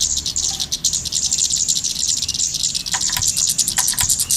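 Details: Golden-headed cisticola calling in a lure recording meant to catch birds on lime. Steady, quick series of very high, thin chirps with a few clicking taps near the end.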